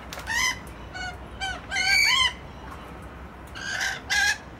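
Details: A rapid series of short, harsh, strident squawks from rainbow lorikeets playing peek-a-boo in Lindfield, several bursts within two seconds, then a pause and two louder screeches.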